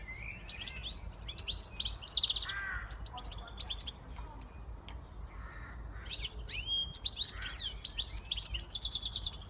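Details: Siskin x goldfinch hybrid singing quick high chirps and whistled slurs broken by lower buzzy wheezes, ending in a fast run of repeated bright notes.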